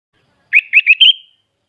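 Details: Sooty-headed bulbul, a hobbyist's singing bird from Klaten, Central Java, Indonesia, giving a full fill-in song: one short bubbly phrase of four quick rising whistled notes, the last slurred and fading, in otherwise clean silence.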